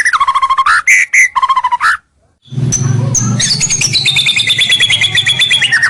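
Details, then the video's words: White-rumped shama lure song for drawing rivals: rapid chattering whistles, a brief silence, then a dense continuous jumble of notes over a low hum. "Suara Pikat Murai batu paling gacor, Bikin lawan mendekat"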